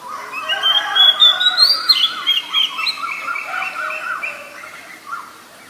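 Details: Oriental magpie-robin in the wild, singing energetically: a rich, varied stream of quick whistled and warbled notes rising and falling, loudest early and fading toward the end.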